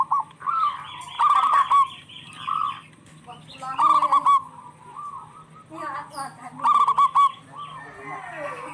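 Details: Local zebra doves answering one another in song, used to stimulate stressed or quiet doves: trilled, bubbling coo phrases in irregular bursts, with softer calls and faint background noise between.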